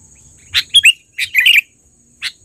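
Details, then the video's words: Sooty-headed bulbul, trained, giving a loud lure call: a brief chirp, a quick pair of sliding whistled notes, then a tumbling warbled phrase and one last chirp against a constant high-pitched whine. "suara pikat burung KUTILANG GACOR...Terlatih dan panggilan keras!!"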